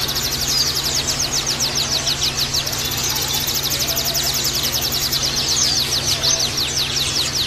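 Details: Oriental white-eye song played as therapy for males kept in group cages: rapid, high, sharply slurred chirps repeated in dense unbroken runs, layered like several birds twittering together, over a steady low electrical hum.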